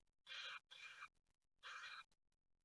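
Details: Great tit nestlings just after hatching in a nest in Ostwald, France, 6 June 2020, filmed by nest camera; three harsh, hissing, broadband bursts of about half a second each, close together, then quiet with faint rustles.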